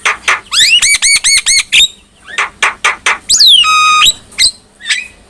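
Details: Black-winged myna song used as a training model for other mynas: loud bursts of harsh squawks mixed with rapid repeated rising whistled notes, a sustained buzzy trill, then scattered sharp chirps.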